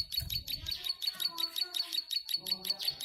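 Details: Plain prinia (ciblek sawah), tame and in full song, delivering a long 'nembak panjang' run of sharp, high, clicking buzzy notes repeated evenly almost three times a second, with faint low thumps at the start.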